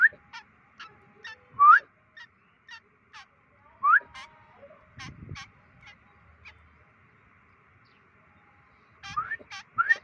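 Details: White-breasted woodswallow on day 25 of free-flight training, giving short, sharp upslurred chirps at irregular intervals, mixed with crisp clicking ticks and a few low thumps and rustles.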